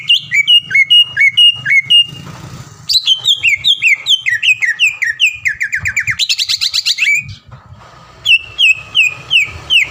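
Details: Caged greater green leafbird, a champion bird at contests around Palembang, recorded as a training song for other caged birds: rapid varied whistled phrases, repeated downslurred notes, a dense buzzy trill, then more slurred whistles.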